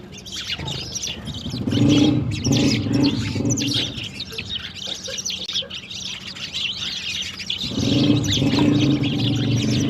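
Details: Morning sparrows at water, drinking and playing, give continuous high, scattered chirps, while a low droning hum, like an engine, comes and goes underneath.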